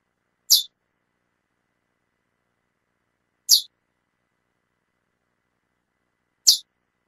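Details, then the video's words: Female chestnut-bellied seed finch calling persistently: three identical sharp, high chip notes evenly spaced about three seconds apart, with silence in between. "Fêmia do Curió Chamando Muito"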